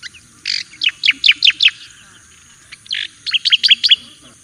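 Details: Javan white-eye song used as a master song for training, with a burst of about six quick, bright, downslurred chirps, a short pause, then another run of similar sharp descending notes.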